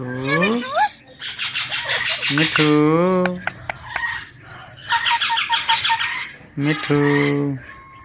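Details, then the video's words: Baby Indian ringneck parakeet, a talking pet; two loud bouts of rapid, harsh pulsed chatter alternate with a man's coaxing speech, plus faint clicks in between. "Talking parrot video"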